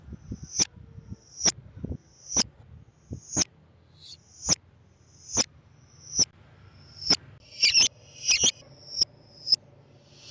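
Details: Calls of a lovebird, used to attract lovebirds: high, piercing chips spaced about a second apart, a brief double-toned note, then a quicker cluster of louder, fuller chirps near the end; low clicks and hum early on.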